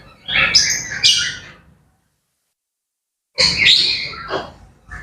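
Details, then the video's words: Grey parrots chattering at daybreak, bursts of raspy squawks mixed with chirpy notes, a two-second silence, then another chattering burst. "Grey Parrots Chattering and Bird Sounds to Wake Up to"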